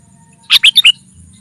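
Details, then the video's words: A single quick phrase of four bright, slurred chirps from a sooty-headed bulbul, played as a lure to call in wild rivals. Faint low hum sits underneath. "Suara Burung Kutilang Pikat GACOR SUKSES Memanggil Lawan! Kutilang Liar Auto Kumpul"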